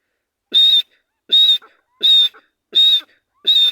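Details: Wild grey francolin moving freely through jungle in breeding season, calling a loud, sharp, high whistle repeated five times at a steady pace of about one note every three quarters of a second, each note brief and piercing.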